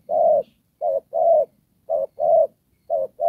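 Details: Spotted dove used as a ground decoy bird for trapping, cooing in the style called Đồng Pha: low hollow coos, each short note followed by a longer drawn coo, about seven notes in three seconds in quiet surroundings.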